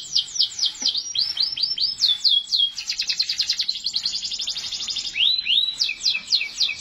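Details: Canary in continuous song: rapid series of high downward-sweeping whistled notes flowing into a dense rolling trill, then a few rising slurred notes and more quick descending chirps.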